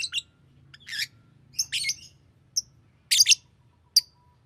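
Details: Green lovebird chirping in irregular bursts: rasping high squeaks, a short sharp pip, and a louder doubled screech near the end.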